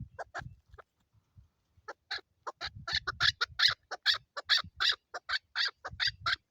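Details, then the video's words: Female chukar partridge calling in Pakistan, a rapid series of harsh clucking chuk notes that starts sparse and builds into a steady repeated rhythm, with low background rumble. "Chukar sounds Chukar ki awaz female chakor calling Partridge voice"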